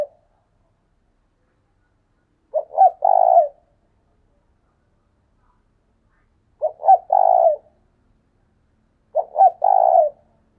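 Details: Spotted dove used as a decoy bird, calling in the urging "thúc sung" style: three mellow, low three-part coo phrases, two quick notes then a longer throaty coo, spaced a few seconds apart in quiet surroundings.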